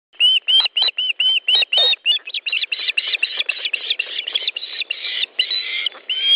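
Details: Ospreys at a nest in Estonia, 10 July 2013 at 13:20, during a fish delivery: rapid series of high, whistled chirps, about four per second, blurring into a dense excited chatter.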